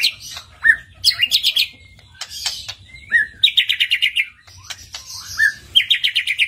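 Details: Lure song of a white-rumped shama meant to make another shama sing openly and unload its repertoire: bright clipped trills and slurred whistles in separate bursts with short silent gaps between.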